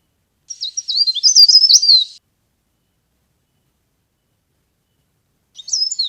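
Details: Leaf warbler as a trapping lure. A sharp burst of quick, high zigzag chirps lasts nearly two seconds, followed by a long silence and then another phrase beginning at the end.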